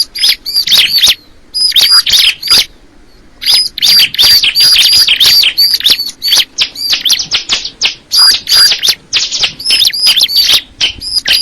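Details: Crystal ciblek bird in steady song, fast high chirping phrases of sweeping notes repeated about three times a second, grouped in loud bursts with brief gaps between them.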